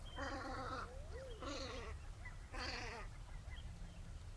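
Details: Velvet scoter at Liepāja, Latvia, March 2024, giving three wavering, nasal, harmonic-rich calls roughly a second apart, with a short rising note between the first two, over a steady low rumble.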